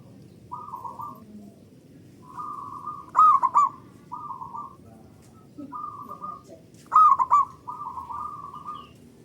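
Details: Local zebra dove, its loud, long song used as a lure to get other doves singing; rolling, rhythmic coo phrases, each starting with a sharper bright note, spaced a few seconds apart against quiet low rumble.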